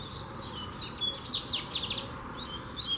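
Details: Double-collared seedeater, a free bird provoking a caged one: fast run of high whistled notes with steep down-sweeping slurs, then softer scattered notes.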